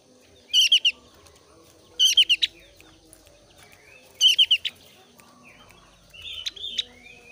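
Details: Javan grey-throated white-eye, thin-browed type, in breeding condition, singing to lure other white-eyes: three evenly spaced loud bursts of rapid high chattering notes, roughly every two seconds, then a buzzy note.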